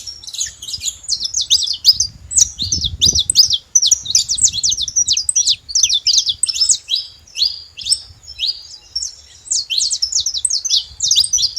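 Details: Free-living wild saffron finch singing in nature: a long run of rapid, sharp high chirps and short buzzy notes in quick succession, with a few brief pauses and faint low rumble beneath.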